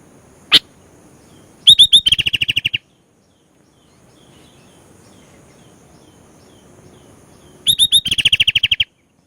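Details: Sooty-headed bulbul in full, lively song with filler notes: a lone sharp chip, then two bursts, each of three upslurred whistles followed by a rapid run of about ten clear, even notes. Quiet pause between phrases.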